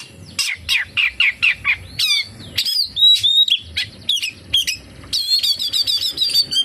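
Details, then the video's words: Oriental magpie-robin song with kapas tembak fill-ins, opening with a steady series of down-slurred chips about three per second, then ringing whistles and a closing rapid twittering trill. "SUARA BURUNG KACER, FULL ISIAN KAPASTEMBAK"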